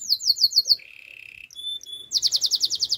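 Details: Canary song: quick high repeated chirps, a low buzzy trill, thin piping whistles, then another fast run of bright chirps.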